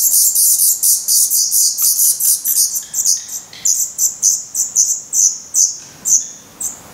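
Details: Hungry Black Redstart nestlings in Portugal, 17 May 2020, already feathered and growing quickly. A dense, high squealing chorus settles into evenly spaced sharp squeaks, about three per second, fading slightly toward the end.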